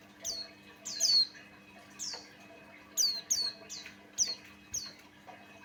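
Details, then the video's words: Singing male Buxtoni white-eye used to provoke other white-eyes; crisp high whistled notes falling in pitch, given singly or in pairs roughly every half second, faint hum below. "Suara Burung pleci Buxtoni pancingan Ampuh"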